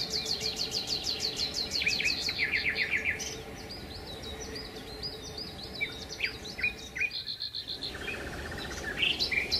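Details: Sparrows gathering at a Marsa Alam hotel after breakfast to eat leftover food from the tables; dense overlapping high chirps and short trilled rattles from several birds, with steady background noise.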